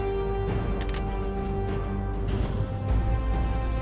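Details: Sustained instrumental music with steady low tones and no animal calls.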